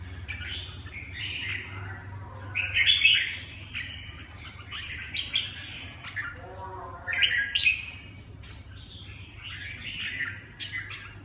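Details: Red-whiskered bulbul performing, giving clustered bursts of bright, warbling and chattering phrases. The phrases come in groups around two to four seconds, seven seconds and ten seconds, over a steady low hum.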